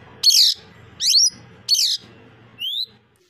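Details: Captive plum-headed parakeet, a male kept at home after arriving injured on a rooftop, gives four short bright whistled notes about half a second apart, the first buzzy and harmonic-rich, the last a clean rising whistle, with faint low hum beneath.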